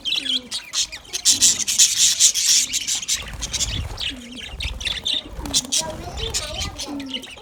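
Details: Budgerigars chirping while eating: dense, rapid high twittering and scratchy chirps, uneven, about two per second, with soft low hooting coos from other birds underneath.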